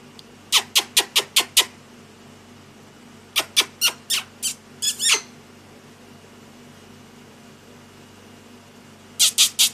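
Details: Lory during daily activity and play, indoors: bursts of rapid, sharp clicking notes in groups of four to six, separated by short pauses.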